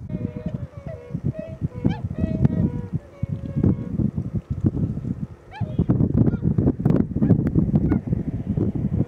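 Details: Tundra swan flock at Nonaka, Toyama, around midday on 13 December 2011, with fewer birds present than usual: hoarse, nasal overlapping honks, some bugling notes sliding upward, over a steady low rumble.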